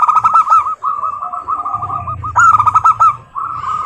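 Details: Zebra dove song played as a lure for local doves: long runs of quick, clear cooing notes, loud at the start and again midway, with several birds seemingly overlapping and low rumbling background noise.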